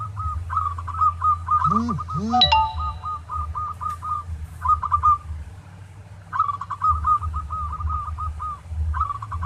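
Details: Zebra dove of a local type singing as a training master for other doves: several long rolling trills of rapid coo notes, with two honking calls and a clink near the start and steady low rumble.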